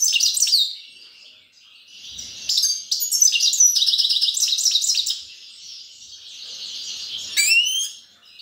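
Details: Grey-crowned goldfinch singing: lively bursts of high twittering, trills and rapid chirps, pausing briefly before resuming, with a sharp rising note near the end, in a quiet setting.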